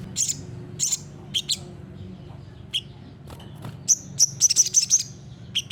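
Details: Olive-backed sunbird singing in the loud, sustained gacor nembak style, kept as a master recording to get other birds to answer: sharp, very high chirps and short trills in bursts, with a steady low hum underneath.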